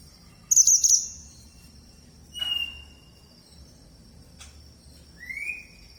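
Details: Red mantenan bird calling: a bright, high chirping burst, then a short high whistle, a sharp click, and a rising whistled note, separated by pauses, with faint low background rumble.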